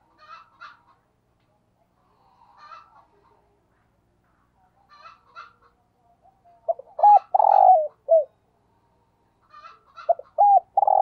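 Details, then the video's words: Decoy spotted dove giving its 'thúc gù' urging coo: two coo phrases in the second half, each a few short notes and then a drawn-out low hoot, after softer higher chirping notes from small birds earlier on. "Tiếng Chim Cu Gáy Thúc Gù - Chim Cu Mồi"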